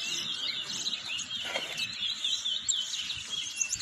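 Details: Towa towa in a bird race, a singing competition, at a bird ground in Corriverton, Guyana, in 2022. Busy, high-pitched twittering of rapid chirps and short trills, with overlapping phrases and a faint low murmur of people behind.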